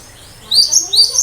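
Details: Two quick bursts of high, thin chirping notes from a cinereous tit in full song, a sharp 'tembakan' style said to make listening birds reply and imitate.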